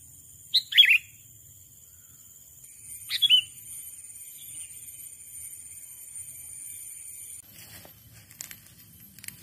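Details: A sooty-headed bulbul calls out to a rival with two brief, bright, slurred whistled phrases about two and a half seconds apart, then a rustling, crackling handling noise near the end.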